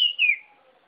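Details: Sirpu bird song: one loud, clear whistled note that slides downward and fades within a second, with faint lower tones trailing after it.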